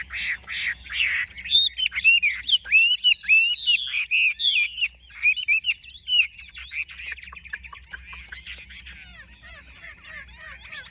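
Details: Big-bodied Chinese hwamei from Vietnam singing energetic, loud whistled phrases with sharp up-and-down slides for about seven seconds, then the song softens into faint, quick twittering.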